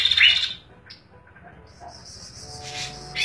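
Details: Chestnut-capped Babbler, known locally as kaso-kaso, kidangan or tepus glagah, giving an active song: a short harsh chattering burst, faint thin high whistles during a quieter stretch, then another brief buzzy burst at the close.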